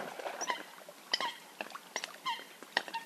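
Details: Eurasian coot calls offered as a hunting call: short nasal notes with stacked overtones, some sliding down, given singly and in small bursts at irregular intervals against a faint hiss.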